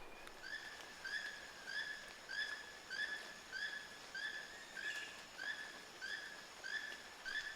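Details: A Keel-billed Toucan calling in the Sarapiqui area of Costa Rica in summer 2017, giving short, creaky notes repeated steadily about one and a half times per second, over a constant hiss of forest background.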